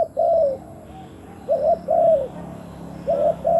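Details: Captive spotted dove luring wild doves, giving hollow cooing phrases of a quick note and a longer gently sliding coo, repeated about every one and a half seconds.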